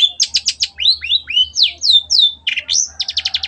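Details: Long-tailed shrike (cendet) in vigorous 'gacor' tutor song for training other cendets: fast trills of rapid high notes, then a row of rising and falling slurred whistles, a harsh burst, and another quick trill.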